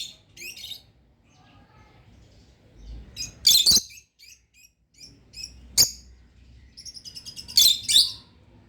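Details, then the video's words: Gentle chirping from a pair of pet lovebirds, with scattered high chirps separated by quiet gaps, broken by several sudden loud, harsh squeaks and short bursts of rapid tweeting. "Relaxing Chirp Sounds🤗 | Lovebird sounds"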